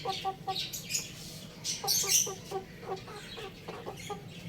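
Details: Young rooster at home clucking in short, evenly spaced low notes, roughly three or four per second, set against a steady hiss and bright, scratchy higher chatter.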